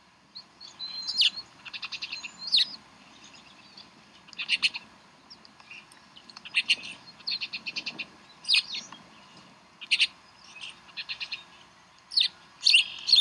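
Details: Bald Eagles at the Decorah nest on 11 April 2012, during chick feeding: high, stuttering chatters made of rapid clicking pulses in bursts, mixed with sharp single chirps and a few shrill rising notes.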